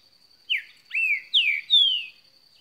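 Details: Singing green-winged saltator delivers four bold whistled notes, each swooping downward and growing longer toward the end, with a continuous high whine behind.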